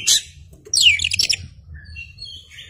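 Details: {'text': 'Oriental magpie-robin (kacer) singing loudly while fanning its tail, used as a lure recording: a short high burst, a pause, then a rich rapid phrase of tumbling whistled notes, ending in faint thin whistles.'}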